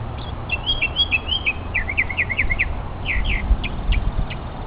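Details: Mockingbird showing off its vocal talents, filmed on a hiking trip: quick bursts of sharp, high chirped notes, first a rapid chattering run, then short repeated slurred phrases and separate spaced notes, over low steady background rumble.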